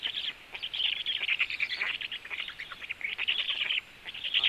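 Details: At a black stork nest, a female brings frogs to her chicks; fast, scratchy chittering notes pour out in dense bursts, briefly easing before resuming.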